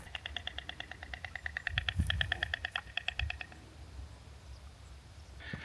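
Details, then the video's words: Clicking bill clatter from a breeding pair of storks on a pole in the distance near Marateca Lake, central Portugal, in winter around New Year: a fast, even rattle of dry clicks for three and a half seconds, then fading, with wind. "But yeah, they make a funny noise, all that clicking."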